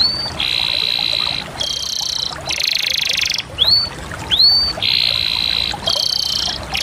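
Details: Canary in steady song, alternating sustained buzzy rolls with bright rising whistled swoops, about eight phrases following one another with hardly a pause.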